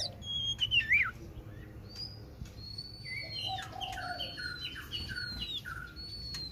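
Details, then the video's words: {'text': 'Oriental magpie-robin song, fairly quiet: a loud twisting whistle opens, then a string of thin drawn-out whistles and short descending notes over a steady low background rumble.'} "Chích chòe than hót"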